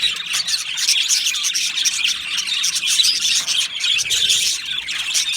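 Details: An aviary of Australian budgies fills the air with steady, high-pitched chirping and warbling from many birds, an even chorus without pauses.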